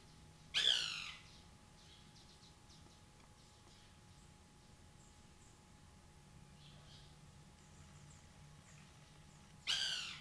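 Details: A white woodpecker (Melanerpes candidus) eating banana gives two harsh, loud squawking calls, one near the start and one at the end, separated by about nine seconds of quiet background hiss.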